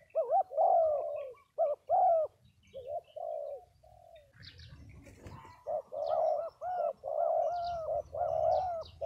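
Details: Spotted doves at a Đồng Tháp, Vietnam dove gathering give mellow overlapping coos. A noisy clatter interrupts midway, then the cooing resumes denser, with faint high chirps from small birds.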